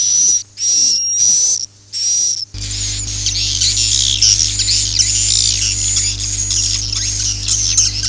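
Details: Three buzzy, high swiftlet chirps of the "Akau ngaji" style open the recording, then give way to a continuous jumble of fast high twittering over a low steady hum.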